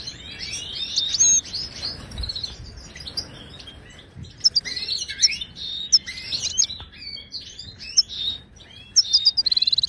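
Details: Moroccan goldfinch song, played to prompt silent caged birds to sing: dense high twittering with quick rising and falling notes, short buzzy trills, and brief pauses near the middle before the chatter resumes.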